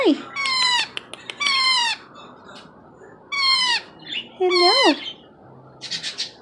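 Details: Indoors, a four-month-old Indian ringneck chick makes attention-seeking crying sounds. Several loud, downward-sliding squawks arrive in irregular pairs, with a wavering lower whine and a softer hissy note near the end.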